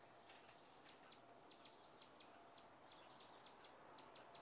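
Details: High, thin chips from a rufous hummingbird, a relentless North American attacker at flowers and feeders, come in quick irregular runs of two or three ticks against a faint background hiss.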